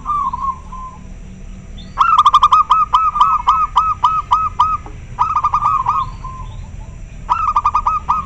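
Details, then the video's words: Local zebra dove calls in response to another bird: a softer cooing phrase, then loud phrases of quick, evenly stuttered coos, about eight notes each, alternating with softer phrases in an answering exchange over steady background hiss. "Suara perkutut lokal sangat jernih - denger suara nya pada respon nyaut"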